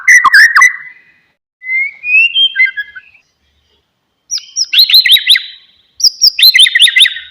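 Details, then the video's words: White-rumped shama song meant to prompt a silent, listless bird into singing: loud phrases of rich whistles, sliding notes and quick descending chirped series, separated by short pauses. "MURAI BATU BENGONG,, DIEM .//. LANGSUNG RESPON DENGARKAN KICAUAN INI"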